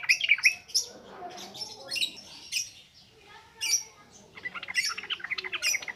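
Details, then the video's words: Ngropel ngalas song of a yellow-vented bulbul, a lure recording for training untrained birds: short bursts of bright, bubbling notes separated by quieter gaps, ending in a busy run of chattering phrases. "SUARA BURUNG TRUCUKAN NGROPEL NGALAS"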